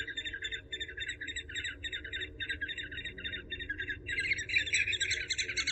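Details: Eurasian hobby calling in a rapid run of clipped, chattering notes, several each second. The notes grow louder and denser near the end over a constant low rumble.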